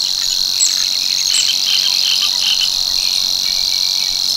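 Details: Strident, monotonous reeling song of a Savi's warbler, a summer breeder at l'Albufera, recorded at Tancat de l'Illa. A steady high buzz holds throughout, with faint chattering notes from other birds beneath it.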